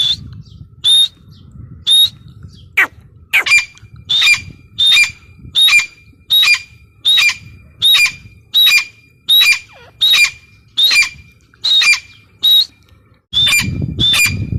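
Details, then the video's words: Female grey francolin, call repeated tirelessly: around eighteen loud, ringing whistled notes with a rasping overtone, evenly spaced under a second apart in a quiet setting, with low rumbling noise returning at the end. "Teetar ki awaz | gray francolin teetar sound | female teetar voice"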